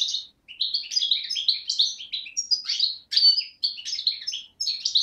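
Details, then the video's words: Beni Snassen goldfinch (parva), young of 2011, voice recorded 8 January 2012 on the Morocco–Algeria border: continuous high twittering with quick chirps and short trills, separated by two brief silences. "chardonneret parva de beni snassen 2011"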